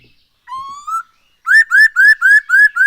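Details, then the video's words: Lure recording of a black-throated laughingthrush singing daily: a clear whistle climbing slowly upward, then a loud series of six evenly spaced, rich, downslurred whistled notes. "Poksay HONGKONG GACOR SETIAP HARI ‼️Dengan Pancingan ini Bikin Burung Tambah gacor"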